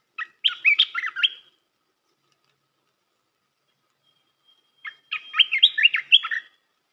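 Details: Red-whiskered bulbul song used to train young birds: two bubbly, warbled phrases of quick rising and falling whistled notes, each about one second long, separated by a pause of roughly three seconds, with no other sounds.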